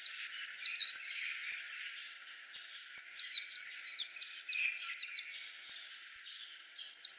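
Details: White-eye song in three bursts of high, down-slurred twittering notes, fast and bright, separated by pauses of faint hiss; a final short burst at the end.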